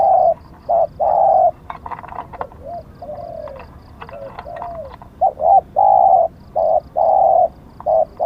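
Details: Decoy spotted dove cooing: loud flat coos at the start, a middle stretch of quieter curved, wavering notes mixed with clicks, then a renewed series of loud, evenly pitched coos.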